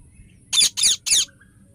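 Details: Ringneck parrot uttering three harsh, buzzy, high-pitched screeches in fast succession, each short and raspy, over a quiet background.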